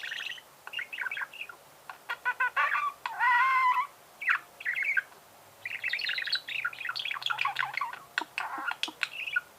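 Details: Chattering budgerigar song mixing quick ticking clicks, a drawn-out whistled note that rises and falls, and dense bursts of scratchy twittering warble with brief pauses between them.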